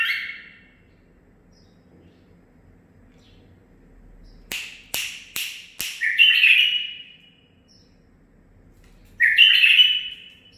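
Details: A home-bred male bulbul, nine months old, sings amid a few sharp clicks or taps, followed by a full bubbling warbled phrase and, after a pause, another bright whistled burst.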